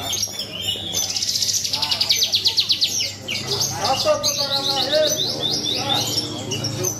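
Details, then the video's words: Javan bush lark performing at a songbird contest, pouring out high trilled rattles and pulsed chirps that run into descending slurred notes, other contest birds and low voices audible. "BRANJANGAN GARUDA MAS MAIN APIK - MUNTAH TONJOLAN"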